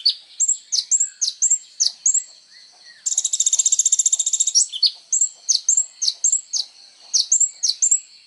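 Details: Kolibri ninja sunbird singing actively, used as training material for songbirds: sharp high chirps with quick downward slurs in rapid series, broken midway by a dense buzzy trill of about one and a half seconds, then more chirps.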